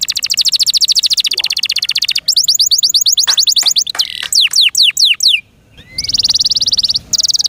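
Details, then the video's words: A kept canary pours out long fast high trills, adds a series of sharp descending whistles, falls briefly silent, then resumes with a steady rapid trill. "PLEASE LISTEN AND ASSESS FOR YOURSELF THE BEST CANARI BIRD"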